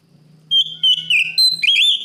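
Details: Oriental magpie-robin (kacer) singing loudly to call a rival: clear sustained whistled notes, slightly wavering and stepping downward, then a rising whistle, over a faint low hum.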